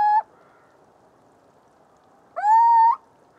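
Little owl giving a single drawn-out, upslurred mellow whistle lasting about half a second, after the tail of an earlier note; otherwise quiet.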